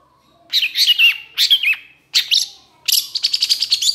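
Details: Long-tailed shrike in lively song: warbled, twisting phrases of mixed squeaky and throaty notes in three short bursts. A fast, even trill of high ticking notes closes the sequence.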